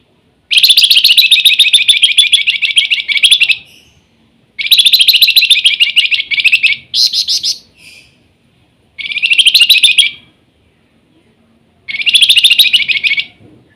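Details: Flamboyan bird singing actively in the nyiul style, giving loud rapid buzzy trilled bursts of about three seconds each, five bursts with short silent gaps, over a quiet background.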